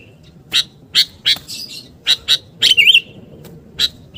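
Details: Sooty-headed bulbul call for luring birds, made of short crisp chirps about every half second, broken once by a buzzy, rippling warble.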